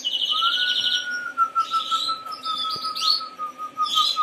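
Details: Harz Roller canary delivering a long, even, low rolling tour throughout, with bursts of fine pulsed trills and brief higher buzzing passages layered above.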